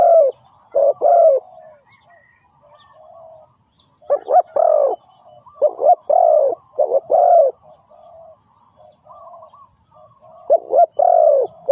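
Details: Spotted dove used as a lure for trapping wild doves, giving low, mellow cooing notes in short paired and grouped phrases separated by pauses of a few seconds, with a faint high hiss in the background.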